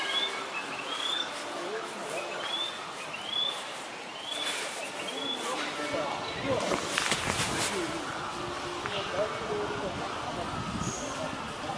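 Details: Singing male narcissus flycatcher recorded 29 April 2020, giving a run of short upslurred whistles repeated about every 0.7 seconds for four seconds, then a stretch of rustling and broadband noise with a late faint whistle.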